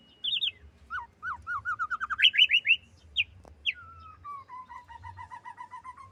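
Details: Female white-rumped shama giving a varied whistled phrase: high slurred notes, a run of rapid rising chirps, then a long series of evenly repeated descending whistles, with a faint low hum underneath.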